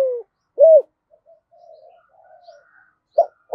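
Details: Spotted dove with a 'thổ' style voice calling wild doves: the tail of a falling coo, then one clear arched coo, a stretch of quiet and faint murmuring, and a brief coo at the end.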